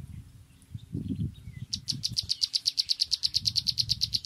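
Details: Sunbird calling: after a stretch of low rumbling, a rapid run of about twenty sharp, high ticking notes, evenly repeated roughly eight times per second until the end.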